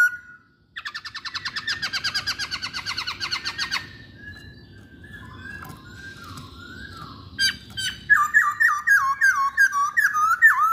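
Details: Masked laughingthrush song used as a lure to prompt other masked laughingthrushes to sing: a fast chattering burst of harsh repeated notes, then a pause and a string of loud clear whistled slurred phrases.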